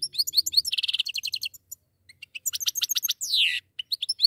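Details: A pair of goldfinches singing lively tinkling phrases: rapid repeated chirps, a short trill, a drawn-out falling buzzy note, then more quick twitters.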